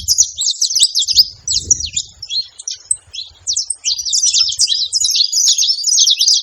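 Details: Several saffron finches together at a feeder, a busy overlapping chorus of sharp, high chirps and quick down-slurred notes, nearly continuous, with a few faint low thumps underneath.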